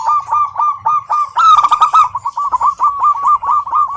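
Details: Female local zebra dove calling to a male, a continuous string of quick, bouncing coo notes with a brief harsher, brighter rattle near the start of the second half.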